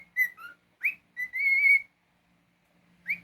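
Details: Pet cockatiel whistling: short descending notes, a rising slur, then a long steady held whistle, followed by silence and one more rising note.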